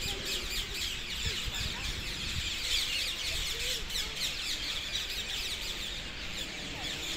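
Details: Dozens of brightly coloured parakeets gathering in trees south of Hackney Marshes on 18 February 2021; a dense, continuous chorus of shrill screeching calls overlapping throughout, with low wind rumble beneath.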